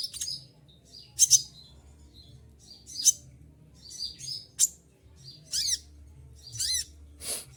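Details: Moulting olive-backed sunbird keeps singing hard: piercing high notes and short sweeping chirps spaced a second or so apart, some sharp downward slurs, over a quiet low hum.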